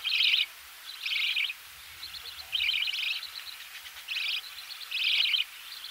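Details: In the nest, budgerigar chicks beg while being fed, recorded close: spaced, buzzy, hoarse bursts roughly every second, with softer wavering chatter between and a faint low knocking.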